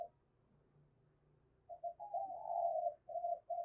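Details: Spotted dove kept as a Hai Hậu-style lure bird, calling to provoke wild doves; after a quiet start, low hollow coos come as short notes, then a longer drawn-out coo, then two more short coos.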